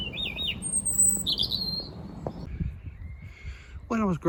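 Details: A European robin singing in a holly tree directly overhead near a 4 pm winter sunset gives thin, high, varied warbling phrases with short pauses, over a low murmur, with a brief harsher call near the end.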